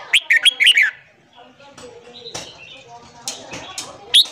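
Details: Morning song of a red-whiskered bulbul, used to train newly caught birds: an opening run of quick, liquid whistled notes, followed by softer scattered chirps and one final bright note.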